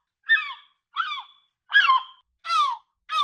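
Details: Gull calling in a real recording: five separate loud, harsh, wailing cries about every two-thirds of a second. Each cry is rich and nasal and slurs downward. No other sounds.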